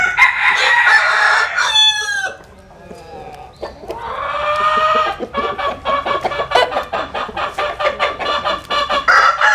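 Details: Roosters sunbathing in the Vietnamese Mekong Delta countryside: a loud harmonic crow for about two seconds, a second rising drawn-out crow, then a run of rapid, even clucking pulses from the flock.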